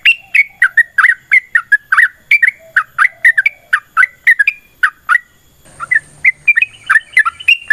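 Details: Sooty-headed bulbul giving its long rapid fighting song, meant to prompt other bulbuls to reply: dense strings of clipped, bubbly whistles, a short break after about five seconds, then the fast notes resume.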